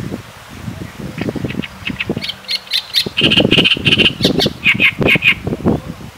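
A great reed warbler delivers loud, harsh, croaking phrases of grating low notes broken by sharp, higher repeated squeaks, a rough rhythmic chatter lasting several seconds.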